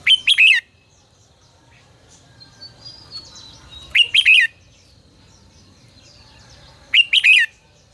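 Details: Red-whiskered bulbul song in the 'ché căng lửa' style, used as a lure for voice training: a short, bright, warbling whistled phrase repeated three times about every three and a half seconds, with soft thin twittering of other birds in between.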